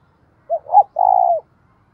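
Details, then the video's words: Decoy spotted dove giving one provoking coo phrase meant to stir fighting: a soft short hoot, a rising second note, then a long steady coo, with little background sound. "Chim Cu Mồi - cu gay kich boi nhanh noi gù hieu quả, cu gáy thúc đấu"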